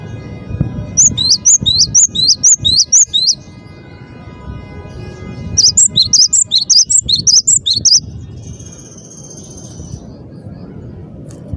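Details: Cinereous tit (gelatik batu) in full song: two runs of sharp, high two-note whistles repeated about twice a second, separated by a pause, with a thin faint whistle afterward and low background hum.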